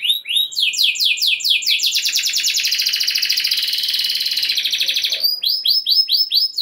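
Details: Canary in full 'gacor' song, used to stir other canaries into singing; quick downward-sweeping notes lead into a dense, buzzy rolling trill lasting about three seconds, then a run of short arched notes.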